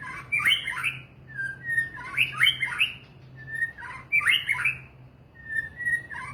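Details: White-rumped shama (murai batu) repeats a pattern: a clear single whistle, then a loud, dense burst of overlapping slurred and buzzy notes, about every two seconds.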